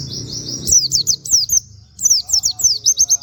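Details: Plain flowerpecker (pleci), recorded as a master for training other songbirds, sound likened to canary. Two bursts of rapid, high, sharp slurred chirps separated by a brief pause, with some low background rumble at the start.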